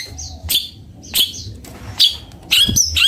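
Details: Long-tailed shrike (cendet bondol) singing: sharp high chirps and whistled notes in short bursts about every half second to second, with low background hum.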